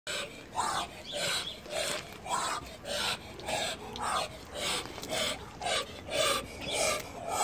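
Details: A male Muscovy duck of the chocolate variety, German show line, from a breeder, gives breathy hissing huffs in a steady rhythm, roughly every half second to second.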